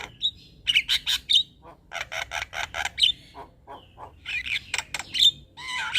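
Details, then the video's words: Chattering male Javan myna used as a lure for mynas: bursts of harsh buzzy notes in rapid runs, broken by short squeaky whistles and a few low nasal calls. "Ocehan Jalak Kebo Jantan Ini Pasti Langsung Respon"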